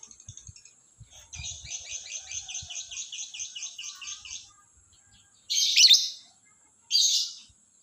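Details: Lovebird singing in the morning: a long run of quick, high buzzy chirps for about three seconds, then two loud harsh squeaky bursts after a short pause.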